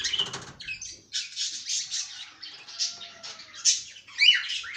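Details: Caged cockatiel warbling in a steady series of high, hoarse chirps and squeaky notes, ending in a sharper squawk-like phrase.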